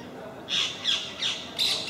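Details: Parakeet from a group that regularly visits MK park: four loud, grating screeches in fast succession, each harsh and falling slightly.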